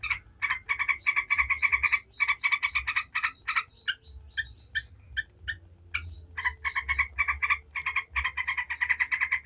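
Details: 'Ngebren' song of a yellow-vented bulbul, meant to provoke other bulbuls into answering: long runs of rapid buzzy chattering, breaking midway into spaced single notes before resuming a dense rattle.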